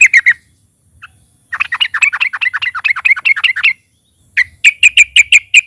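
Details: Loud yellow-vented bulbul (trucukan) song meant to stir other birds into song: a short chip series, then a two-second rolling chatter, then six crisp, evenly repeated clipped notes.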